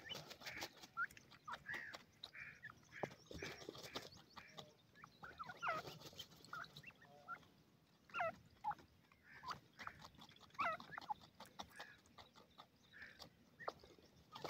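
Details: Grey francolin chicks bathing in soft sand and feeding on the ground with their family. Short, soft chirps and squeaky peeps come irregularly throughout, mixed with dense scratching and rustling clicks from birds working the sand.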